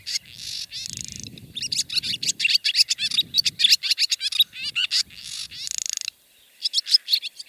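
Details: Barn swallow, a Siberian bird, in extended song: continuous chattering twitter with buzzy notes, a rattling trill near the end, faint low background rumble.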